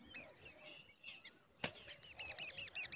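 Black drongo chicks give thin, high chirps, then a quick run of about eight sharp, arched notes, broken once by a single click.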